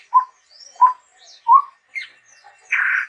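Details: Chestnut-rumped babbler giving clear, short whistled notes about every two-thirds of a second, ending in a longer rasping buzzy note.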